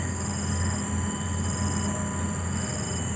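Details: A loud, steady mechanical drone with a deep rumble and high whining tones holds evenly throughout, with no animal voice standing out.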